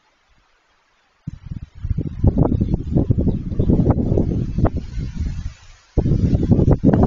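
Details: Gusty rumbling and rustling bursts, like wind buffeting a microphone, with a short lull near six seconds and no animal call heard.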